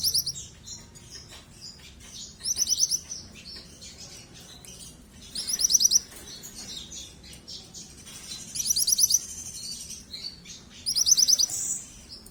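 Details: Continuously calling yellow juvenile mantenan, repeating short strings of fast, high-pitched chirps roughly every two to three seconds, five bursts in all, with soft flutter-like rustles and quieter twitters in the gaps.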